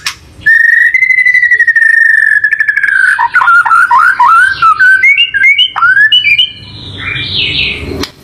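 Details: White-rumped shama song as a lure for a pet bird: a long steady whistled note, then varied rising and falling whistles and warbles, ending in a scratchy high passage.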